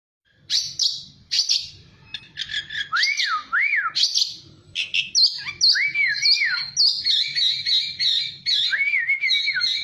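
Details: Oriental magpie-robin song used to provoke caged birds into answering: varied whistled phrases with arched, rising-falling notes around mid pitch mixed with scratchy high chirps, delivered continuously.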